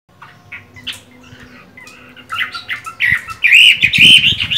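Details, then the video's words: Chinese hwamei with mung-bean green eyes, singing while moulting: quiet scattered chirps at first, then louder, bright whistled and squawky notes building toward the end. "Họa mi hót hay, mắt lục đậu, vẫn phong độ khi thay lông"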